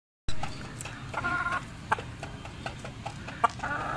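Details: Big Persian rooster clucking in short, scattered, low bursts with a few sharper notes, over steady rustling background noise.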